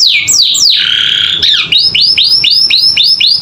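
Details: Captive canary chattering song used as training audio: a few steep falling sweeps and a buzzy held note, followed by hooked rising whistles repeated roughly four times a second.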